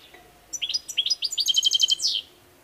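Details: European goldfinch, kept bird, singing a quick phrase of rising chirps that runs into a fast, regular, metallic trill before stopping abruptly.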